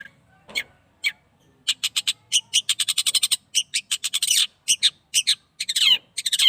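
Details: Captive long-tailed shrike, eight months old, out in the sun for the first time: a few scattered harsh notes, then a fast, dense run of short, scratchy, broadband chattering notes with brief pauses.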